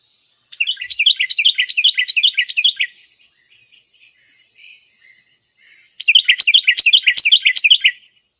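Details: A Carolina wren sings two loud, ringing bursts of quickly repeated rolling phrases, remembered as 'tea-kettle, tea-kettle' or 'cheeburger, cheeburger', each about two seconds long with a quiet pause between.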